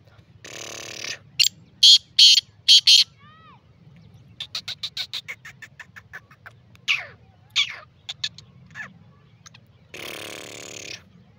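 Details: Free-calling black francolin (kala teetar): one loud phrase of four or five harsh, grating broadband notes, with scattered soft chirps, a brief buzzy tone, and murmured background sounds before and after.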